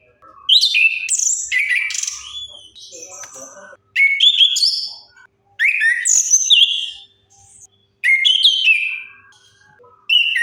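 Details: Orange-headed thrush singing, used as a lure to get non-singing birds going: a steady run of varied whistled and warbled phrases, roughly every two seconds, with soft chips between them.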